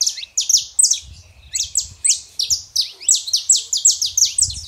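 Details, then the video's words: Saffron finch, male and female, singing to warm up a quiet canary: rapid series of sharp high downslurred chirps, several per second, steady and loud, with faint low background rumble. "canário da terra fêmea e macho pra esquentar seu canário frio"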